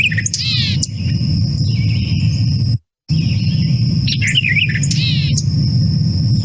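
White-eyed Vireo giving emphatic, nasal bursts of sharp chips and slurred notes, a jumbled take on its usual phrase, over a steady high insect whine and low rumble.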